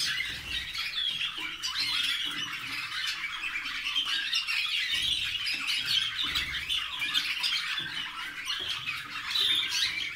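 Waterslager canaries sing continuously: bubbling, rolling trills and chattering phrases in a high register, with no pauses and no other clear sounds.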